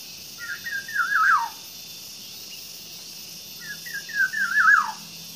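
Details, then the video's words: Hand-fed green pigeon chick, nine days old, fed banana morning, midday and afternoon, gives two squeaky wavering begging bursts about three seconds apart, each a quick run of warbling notes sliding downward, with constant background hiss. "CARA MELOLOH ANAKAN PUNAI USIA 9 HARI"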